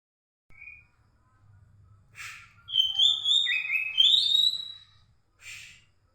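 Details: White-rumped shama singing at night, used as a lure to prompt a silent bird: clear whistled phrases, some rising, some level and drawn out, between brief harsh bursts, over a faint low hum.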